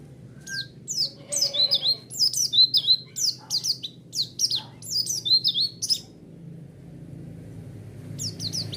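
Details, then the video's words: White-eye song used as a lure that makes listening white-eyes respond at once. A rapid, high-pitched twittering run of sharp descending chirps and short whistles lasts about six seconds. After a pause, a few chirps return, over a steady low background hum. "Pancingan Suara Burung Pleci"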